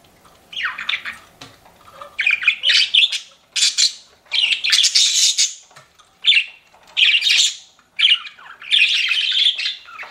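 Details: Pet budgie chirping in separate loud bursts of harsh, buzzy squawks, each lasting about half a second to a second, with quiet gaps between.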